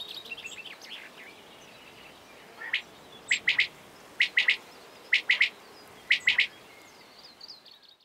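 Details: A calling male common quail gathering others of its kind: faint introductory notes, then five loud, evenly repeated three-syllable phrases roughly once a second, clipped and liquid, over light noise.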